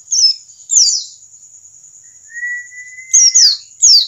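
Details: Wild-caught white-eye, used to set other white-eyes singing: short, shrill down-slurred chirp bursts spaced about a second apart, with a steady lower whistle drawn out between them.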